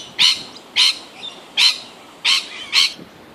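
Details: Lorikeets squabbling over nectar at flowering Grevillea give five harsh, screechy bursts, each about a tenth of a second, spaced roughly half a second apart, high and noisy over faint background hiss.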